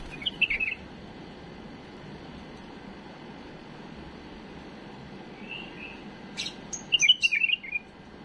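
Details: Pet bulbul's error-free song, recorded as a tutor for fledglings: an opening warbled phrase, a long pause, a soft whistle, sharp clicks, then a lively string of rapid, fluty notes.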